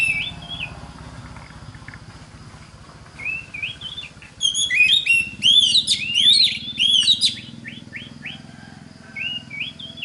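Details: Oriental magpie-robin song meant to train other magpie-robins: soft warbled whistles over steady low background hum, swelling midway into a loud burst of rich sweeping notes, then quieter wavy whistles.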